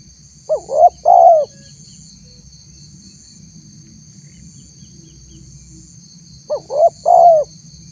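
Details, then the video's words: Two spotted dove phrases, six seconds apart, from a recording used to lure wild doves. Each has two short rising notes leading into a longer mellow coo. A low rumble and a thin high whine continue throughout. "suara tekukur PALING DI CARI untuk memancing respon tekukur liar"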